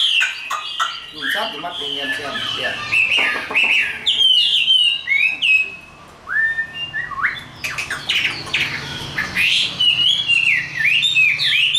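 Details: Chinese hwamei, a tame cage bird, in a fighting song: long varied run of loud whistles, rapid chattering notes and upslurred phrases, with a brief pause midway before intense warbling resumes.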